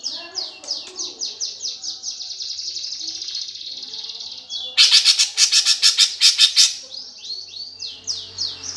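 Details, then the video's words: Greater green leafbird singing in sparrow-fight style, a lure for competition birds: quick repeated downslurred high whistles, a loud stretch of harsh rapid churring near the middle, then more slurred whistles. "PANCINGAN cucak ijo suara gereja tarung"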